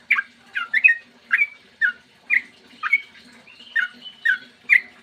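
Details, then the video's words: Lure song of a yellow-vented bulbul, 'ropel panjang' style, recorded in the morning to make other bulbuls sing. Separate squeaky, slurred whistles, dropping or rising, roughly two each second with short silences between. "trucukan gacor ROPEL PANJANG buat pancingan trucukan agar bunyi"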